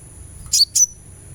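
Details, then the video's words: Sunbird sound used as therapy to prompt singing: two quick, very high chirps, the second trailing into a thin falling whistle. "suara terapi kolibri supaya gacor"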